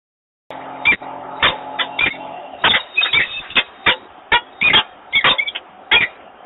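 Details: Male peregrine falcon at a nest site in Włocławek, Poland, calling to invite the female to the nest on 28 February 2022; she does not accept. Short harsh chipping calls in irregular bursts, some overlapping, over a low steady hum.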